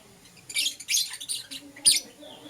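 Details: Euwing Green Opaline and Lutino lovebirds in the morning, a short burst of four or five shrill, scratchy chirps, the last one sharp and loud.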